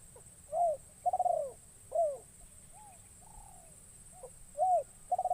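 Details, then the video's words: Newly trained decoy spotted dove, brought into the wild for the first time, calling in a forest to lure wild spotted doves; repeated mellow coos, each set with a short rapid pulsed roll, over a steady high hiss. "Burung Terkukur Pikat"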